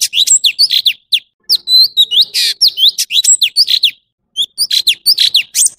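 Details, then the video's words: Singing male orange-bellied leafbird pours out quick high whistles, chips and rasping buzzes in bursts of one to two seconds, with short silent gaps between them. "Tiếng chim thanh tước trung quốc/Chim xanh vàng✅Orange-bellied leafbird"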